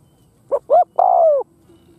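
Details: Spotted dove kept as a decoy to attract wild doves gives one coo phrase: two brief soft notes then a long, gently falling hooted coo.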